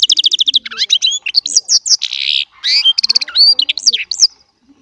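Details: Small Baster goldfinch delivering chardonneret song: a quick run of repeated high chips, then twisting whistles and a brief nasal buzz, ending in rising and falling sweet notes.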